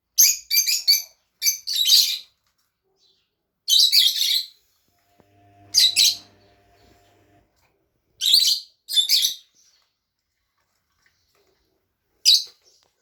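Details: Pair of pet Fischer's lovebirds chattering in quick high-pitched chirp clusters, two or three notes at a time, repeated every second or two, with a faint low hum briefly in the background.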